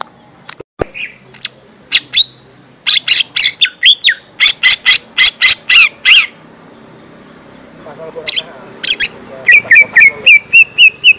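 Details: Lesser green leafbird song used to lure young birds: rapid trains of sharp, high chirps and clicks, a brief softer warbled passage, then a fast run of repeated rising whistled notes.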